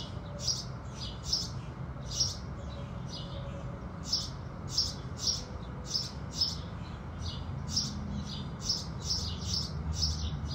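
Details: House sparrows at sunrise keep up a lively series of high, clipped chirps, some louder and crisper, spaced irregularly over a faint low hum.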